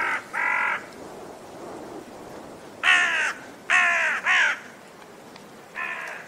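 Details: Six hoarse, grating caws from a raven, a pair early on, then a tighter run of three and a final single call, with quiet hiss in the gaps.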